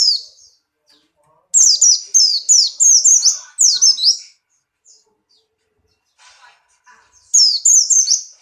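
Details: Pleci Buxtoni white-eye, strongly in breeding condition, delivers a sustained string of about eight shrill falling whistles, then a pause and a shorter burst of three more high slurred notes.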